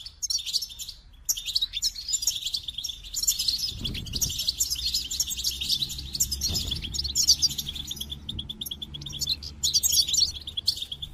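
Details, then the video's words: Goldfinches twitter in a bright, tinkling chorus of rapid high notes that runs without pause, with a couple of soft low thumps underneath. "The Captivating Call of Goldfinches"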